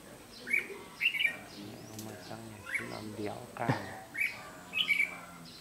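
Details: Red-whiskered bulbul used as a caged fighting decoy to lure wild males, 8 July 2016; brief clear chirped notes every second or so, with a low droning hum and a sharp click midway.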